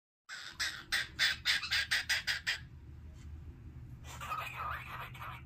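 A cockatiel sings a quick run of bright, chirping notes, then pauses before a softer warbled phrase.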